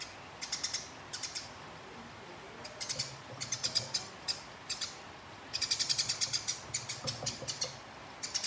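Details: Sparrow fight: short clusters of shrill, grating chirps, then a long run of rolling chatter in the second half, the notes crowding into a near-continuous rattle before breaking into short bursts again.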